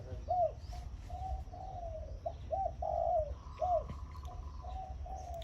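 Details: Caged zebra dove decoy bird with a brass leg ring, hung in front of a house in the morning, used to lure some 50-60 wild doves, singing in the khan yon style: a series of short arched cooing notes, with low rumbling background noise.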